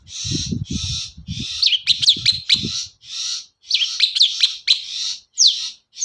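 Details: Long-tailed shrike singing a lure song meant to prompt other shrikes to sing: bursts of harsh, buzzy high notes in rapid succession mixed with sharp downslurred whistles, with low thumping knocks during the first half.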